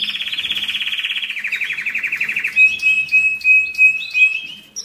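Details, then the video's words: Domestic canary singing as a training recording for the molt and rest period and to stimulate breeding. A fast pulsing roll slowly drops in pitch, then gives way to short, clear whistled notes repeated at a steady pace. "تغريد الكناري للتسميع في مرحلة القلش و الراحة"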